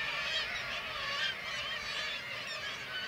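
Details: Black-legged kittiwakes calling in a crowded colony in Varangar, Norway, as white-tailed eagles take chicks; a short, thick wash of nasal, quavering calls from numerous birds, overlapping without pause.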